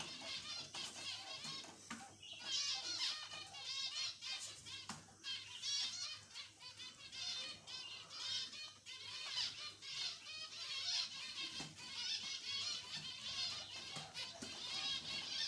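Zebra finches call constantly, a dense chatter of nasal, buzzy beeps over soft wing flutters.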